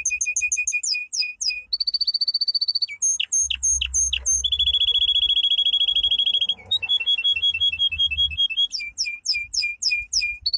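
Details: Powerful training song of a domestic canary, built from high, sharply looping repeated notes alternating with steady buzzy trills and rolled tours, varied in pitch across the phrase; faint low rumble underneath.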